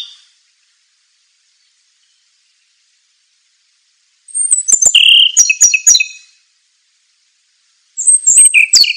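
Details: Training recording for songbirds of a scarlet minivet: after near silence, a burst of high thin whistles and quick repeated chips with lower sliding notes, then a second short high phrase dropping at the end.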